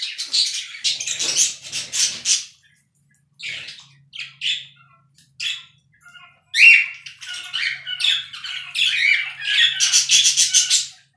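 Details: Charcoal cockatiels whistling for the first time: bursts of raspy chatter, short scattered notes after a silent gap, then a sharp rising whistle followed by rapid repeated squawky notes and a faint steady low hum.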